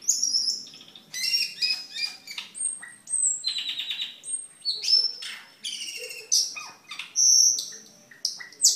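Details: A cucak keling delivers a varied, rapid song used as a master and lure song: high clear whistles, sharp chips and chattering phrases, shifting pitch every second or so.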